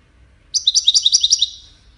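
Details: European goldfinch of the Wiydani type from Salé, singing one quick, bright trill of about ten evenly repeated high, buzzy-chirpy notes lasting roughly a second, with faint low background hum.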